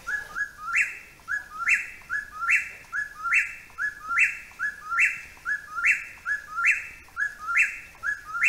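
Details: An Eastern Whip-poor-will calling vigorously from a tree overhead during a hike repeats its whistled three-part phrase about once a second without pause. The last note rises sharply.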